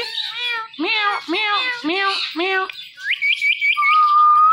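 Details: Talking Indian ringneck parakeet repeating "Mitthu": four quick nasal, harmonic syllables in a steady row, then rapid short upward chirps and a long level whistle.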